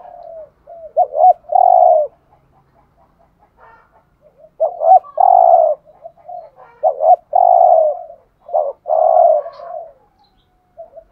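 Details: Low cooing from a decoy spotted dove luring others: several phrases of quick double notes and a long buzzy coo, separated by faint soft clicks and murmurs.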